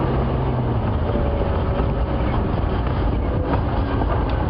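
Steady low engine rumble of a moving vehicle, with no animal calls heard.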